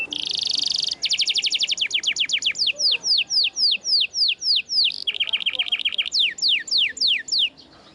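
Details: F1 SF canary singing as a tutor bird: a loud buzzy burst, then long runs of rapid downslurred whistles, about four per second, shifting to lower quick notes and back to sweeping slurs.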